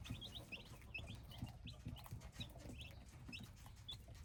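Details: Several hybrid chicks give quiet, thin, high peeps, some rising and some falling, scattered irregularly over a soft low hum and faint shuffling.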